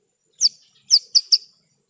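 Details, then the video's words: Horsfield's bush lark calls from a tutor recording for training cage birds: four short, sharp, high chirps, the last three spaced closer together, with silence between them. "Masteran Burung Branjangan 1 Jam Non Stop"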